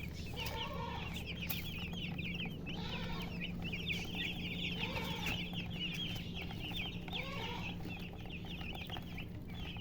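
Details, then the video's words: Many chicken chicks chirp beside their hen, making a constant flurry of thin, quick, high peeps. Soft, deeper hen clucks recur every few seconds under a background hum. "silly chicken chirping sounds with murgi hen color chicken"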